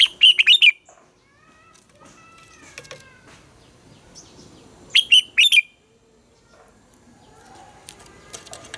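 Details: Captive red-whiskered bulbul, morning song in a wild-sounding double-note competition style used to train other bulbuls: two bursts of quick bright warbled notes about five seconds apart, with steady whistled tones and background noise between.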